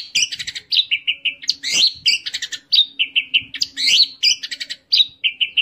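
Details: Orange-headed thrush singing in teler fashion. A steady, dense outpouring of chattering and buzzy notes is interspersed with repeated short falling whistles, with hardly any silence between phrases.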